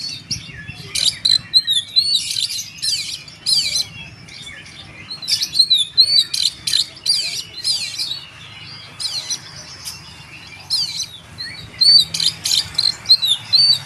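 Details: Oriental magpie-robin delivering tembakan, or shooting-style, song: clusters of loud, rapid high whistles and chirps fired in bursts, separated by short quieter stretches, over a low steady background hum.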